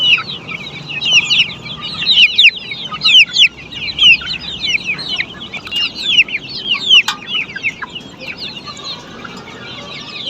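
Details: A flock of black Australorp chickens on a poultry farm calling steadily: many quick, bright, downward-sliding chirps and clucks, roughly one a second from each bird but overlapping into a busy chorus, with soft background hum and occasional clicks.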